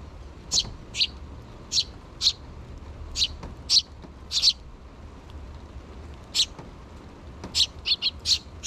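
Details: Sparrow nestlings, two chicks yet to fledge, begging their parents for food in June 2023: high, clipped chirps in loose runs, a quiet gap of about two seconds, then a rapid cluster near the end.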